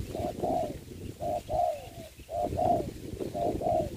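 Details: Spotted dove decoy set on the ground for trapping in Vietnam, giving paired low coos, short then longer and slightly falling, repeated three times over steady low noise.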